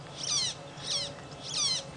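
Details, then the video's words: Magpie Shrike heard in the background as warthogs and piglets feed, on a late-afternoon safari drive on 25 February 2017: three loud, grating calls repeated about every 0.6 seconds, with low ambient noise beneath. "It sounds like there's a magpie shrike that's shouting."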